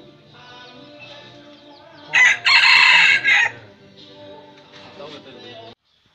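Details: Red junglefowl decoy rooster crowing to provoke wild roosters: one loud harsh crow in three parts, a short opening note, a long sustained middle and a brief clipped end, over a low background hum.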